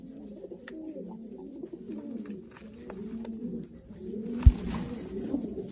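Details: Lotan tumbler pigeon cooing: deep, wavering coos run on steadily, with soft clicks and a louder thump near the end.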